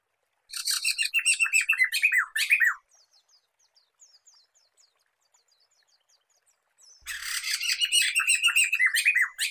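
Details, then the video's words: Black-throated laughingthrush recording used for luring and training songbirds: two loud bursts of rapid, harsh, chattering notes sliding downward, about four per second, separated by a quiet stretch of faint high ticking. "Kicauan Poksay Mantel (Poksay Medan)"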